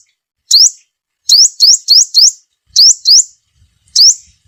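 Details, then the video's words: Sunbird call meant to attract wild birds for trapping: high, rising upslurs delivered singly and in quick bursts of two to four, with faint low knocks near the end. "Tiếng chim hút mật mồi gọi bổi"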